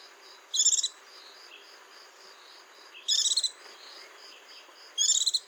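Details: White-eye singing: three short, bright, buzzy bursts of high twittering notes, roughly every two seconds, over a steady background of shrill insect-like pulsing.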